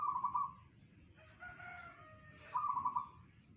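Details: Local zebra dove singing bedah karang style: two bright, rapidly pulsed coo trills about two and a half seconds apart, with softer lower cooing and faint tonal notes between them.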